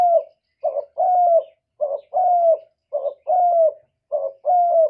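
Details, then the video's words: Spotted dove (cu gáy) steadily cooing 'một hậu ròng' style: a short throaty note followed by a drawn-out falling coo, repeated about every 1.2 seconds, four times, with nothing else audible. "cu gáy gọi một hậu ròng"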